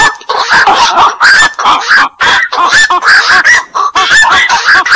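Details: Black-crowned night heron chorus of raucous, throaty squawks delivered nonstop, the many overlapping notes forming a continuous clamour.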